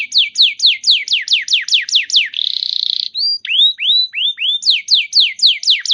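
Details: Canary singing used to coax quiet canaries into song: a steady string of falling whistled sweeps, a harsh buzzy trill, a few rising slurred notes, then rapid descending sweeps again.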